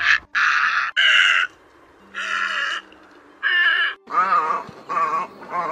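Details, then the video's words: Harsh, grating croaks of a great egret, recorded as a night net-trapping lure for the August migration season. Several loud squawks come in a row, then lower wavering throaty calls at the end. "Tiếng Cò Trắng Lớn"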